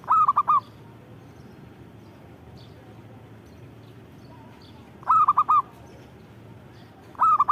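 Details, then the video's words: Zebra dove singing actively: three bursts of rapid, bubbling cooing notes, each phrase of about four or five short mellow coos, spaced roughly five seconds apart over a faint low hum. "Suara Burung Perkutut Gacor"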